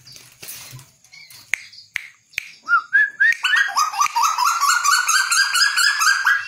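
A tuwu bird gives a few short whistles, then a fast, steady run of bright, slurred notes, about two per second, after some scattered clicks and knocks.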